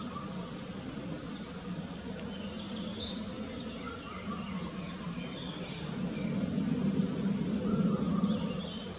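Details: Young long-tailed tit that has just left the nest, foraging among trees: one brief, very high, thin buzzy call midway, over steady low environmental hum and faint insect-like background.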